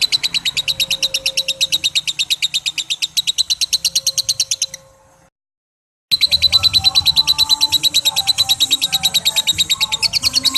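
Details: Long ngekek chatter of a lovebird, played to train young birds to chatter long: rapid rattling run of high clipped notes, broken by a silent gap of about a second near the middle, then resuming just as fast.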